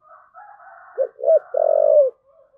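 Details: Spotted dove giving the thúc gù coo: two short low notes followed by a longer, drawn-out, slightly falling coo, with a fainter soft murmuring before it.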